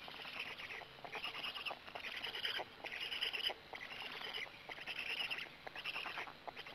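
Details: Black stork at its nest in Gemenc, 13 May 2017 at 20:04, as an adult arrives and then feeds: raspy, hissing bursts repeated about once a second, with a faint steady high hiss running above them.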